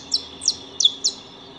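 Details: Four crisp, high chirps, each dropping sharply in pitch and spaced about a third of a second apart, from saffron finches (Sicalis flaveola) feeding at a house, with a faint steady whine beneath.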